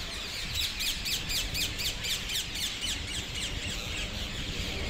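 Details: Flocking parakeets at trees south of Hackney Marshes, 18 February 2021; a nearby bird gives a run of sharp, screechy notes about four per second for several seconds, set against a constant chorus of distant calls and wind.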